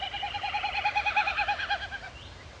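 Wilson's snipe: a hollow, hooting series of fast pulsed notes, about eight to ten a second, swelling then fading over two seconds.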